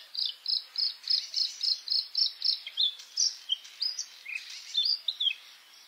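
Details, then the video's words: White-spotted bluethroat (Luscinia svecica cyanecula) singing in May: a quick run of about fourteen evenly spaced, high, clipped notes, then a varied stretch of twittering phrases with rising and falling notes. "A Bluethroat (Luscinia svecica cyanecula) song in May"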